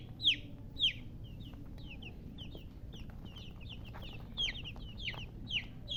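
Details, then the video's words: Baby chickens chirping: thin, high, downward-sliding peeps, several overlapping at an irregular pace of roughly two per second, over a steady low background rumble. ""Chicks Chirping" Sound"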